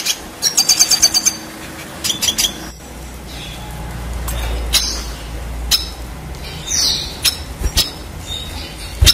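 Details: Red siskin song for training contest birds: two quick bursts of high twittering at the start, followed by sparse clicks and chips against a low rumbling background.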